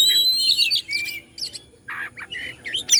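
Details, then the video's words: Kacer, the Oriental magpie-robin, from Bandung, Indonesia, singing to provoke other birds: a bright high whistle, then buzzy scratchy notes and short slurred phrases, rising and falling. "KACER BANDUNG"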